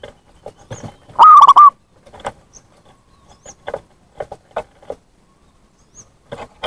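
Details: Zebra dove calling to lure wild doves: a single loud phrase of rapid rolling coos, surrounded by scattered soft clicks and tapping noises.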